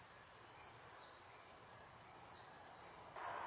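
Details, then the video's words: Blue-eared kingfisher, a rare resident in Singapore, giving its loud call: very high, thin piercing whistles, short and sharp, repeated about once a second, some with a brief downward slur. "Bird Call: BLUE-EARED KINGFISHER"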